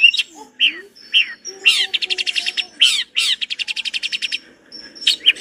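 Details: Long-tailed shrike in lively, richly varied song used as a master tutor recording: loud harsh high notes and squeaky phrases, then a fast buzzy run of about twenty rapid repeated notes, ending with more sharp chattering calls.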